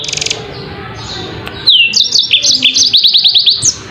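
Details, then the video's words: Faint high buzz at first, then a yellow-fronted canary breaks into loud bright song, with a falling whistle followed by quick repeated chirps and a fast trill of high notes. "kicau burung MOZAMBIK super jernih"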